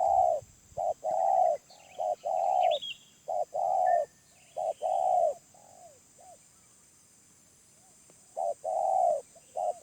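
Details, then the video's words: A wild spotted dove with a middle-range voice coos in mellow, hollow notes: paired short and drawn-out tones, then a pause of several seconds before the cooing resumes. Other small birds chirp faintly overhead. "Tekukur Liar // Suara Menengah // Penguku Habis"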